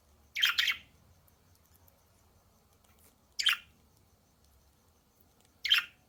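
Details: Three brief, harsh budgerigar squawks spaced about three and two seconds apart, each a sharp scratchy burst, from a loud budgerigar chorus.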